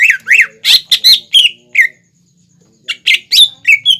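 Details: Greater green leafbird song meant as a lure for young or untrained leafbirds to imitate; a quick string of chirpy, slurred whistles, some rising and falling, then a short silence before another rapid burst.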